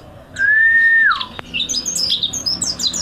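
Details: Mountain white-eye song used as a master recording for training: a long steady whistle that drops at the end, followed by a quick run of high, thin chirps and twitters.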